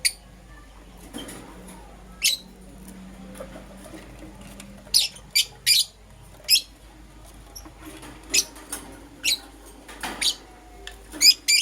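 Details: Lovebirds, Euwing green opaline and lutino, kept as pets and heard in the morning: sharp, high, shrill chirps repeated irregularly in short bursts, with quiet gaps between them and a low steady hum underneath.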